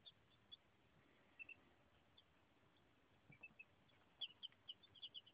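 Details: Chicks aged one to two days peep faintly and sparsely at first, then a run of brighter, high peeps comes in quick succession near the end over a soft background hiss.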